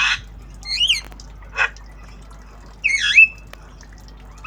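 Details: Tame Javan myna in lively obyogan style, learning sounds: a few separated bursts, harsh buzzy notes alternating with two bright whistled slurs that dip and rise, quiet pauses between, low steady hum underneath.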